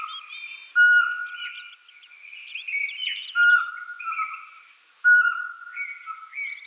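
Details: Owl calls as level, pure whistled notes recurring every two to three seconds, each dropping slightly at the end, over a steady chatter of higher chirping birdsong.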